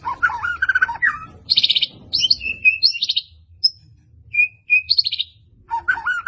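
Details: White-rumped shama from Medan in vigorous song, mixing rich warbled whistles with harsh buzzy rattles and short sharp whistled notes, phrases broken by brief pauses, over faint low background rumble.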